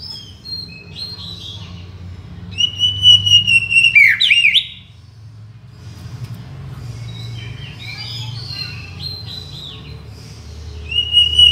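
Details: Tutor and luring song of the white-rumped shama (murai batu): sustained clear whistles leading to a loud sweeping phrase, a quieter stretch of varied twittering, then another long whistle, low hum behind.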